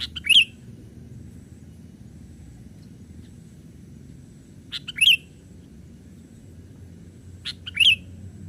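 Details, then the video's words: Young sooty-headed bulbul playing among branches, used as a lure for wild birds: three short bubbly chirps, each a quick twisting note, spaced roughly every two and a half seconds over quiet low background hum. "Pikat kutilang muda main ranting"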